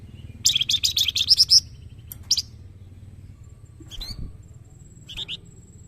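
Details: Young flamboyan, Indonesian master song for tutoring birds: a fast, loud buzzy chatter lasting about a second, followed by scattered short sharp notes with gaps between them.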